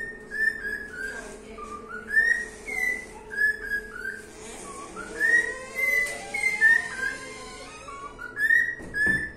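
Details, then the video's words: Cockatiel singing: a string of clear whistled notes near one pitch, some sliding up or dipping, in uneven phrases about every second or two, with a faint steady low hum underneath. "calopsita cantando"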